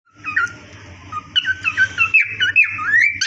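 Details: Cockatiels in a breeding colony aviary: a run of short rising whistled chirps, several per second, with a low rumbling hum beneath.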